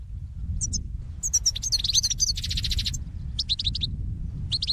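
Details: European goldfinch song used as a flock call for trapping: bright twittering phrases of high tinkling notes and quick buzzy trills, in bursts separated by short pauses, over a low rumbling background.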